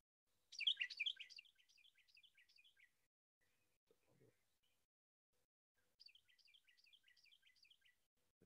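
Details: A Carolina Wren, a common backyard bird in Northern Virginia and among the first to sing in the morning, sings two bursts of its loud, ringing 'teakettle' song, each a quick string of repeated whistled notes, with a soft thump between them.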